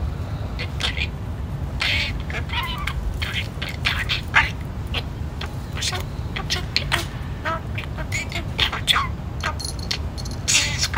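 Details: Pet budgerigar chattering at home; it picked up words from neighbours, repeating chuhai over and over, and bursts into song like a musical. Quick scratchy, raspy voice bursts in uneven runs over a steady low background hum.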